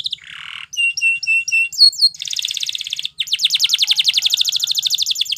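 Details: Training song from a Belgian canary meant to set other canaries singing: a low buzzy burst, paired clipped whistles, a rasping section, then a long run of fast, evenly repeated sharp notes.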